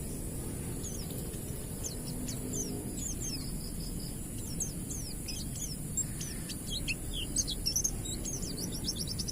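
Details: Wild-type Oriental white-eye whose song is used to prompt untrained white-eyes to sing. Rapid series of thin, high chirps and short rising-falling notes over steady low background hum.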